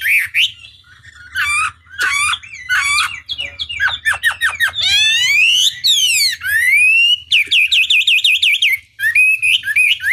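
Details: Chinese hwamei song in a varied, rapid medley: rising whistles, fast trills, steep downward sweeps and a wavering warble, broken by short pauses.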